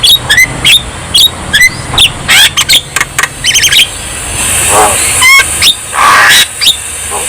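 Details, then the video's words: Energetic Javan myna song, played to stimulate lazy mynas to sing: sharp repeated chirps with rising whistled notes, harsh rasping bursts, and looping squawks toward the end. "KICAUAN JALAK KEBO GACOR | Terapi Ampuh Untuk Jalak Kebo Yang Malas Bunyi"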